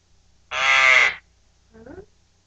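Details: A pet male Eclectus Parrot, three months two weeks old, recorded 15 January 2009 just after eating an egg, gives one loud, harsh, raspy screech lasting under a second, followed by a person's brief murmur.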